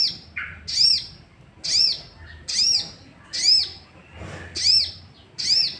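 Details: Sooty-headed bulbul, used as a lure to provoke other bulbuls into singing: high, sharp arched notes repeated about once a second, with a lower short note between some phrases.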